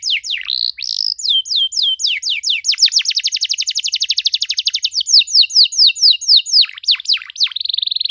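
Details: Canary in full loud song, long and ornate, meant for young canaries to learn from: fast runs of descending whistled notes, several rolling trills at different speeds, ending in deeper swooping notes.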